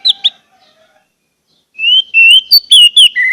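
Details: Anis merah, the orange-headed thrush, singing to coax caged birds into song: two short sharp notes and a faint low whistle, then a rich run of slurred whistles and chirps near the end.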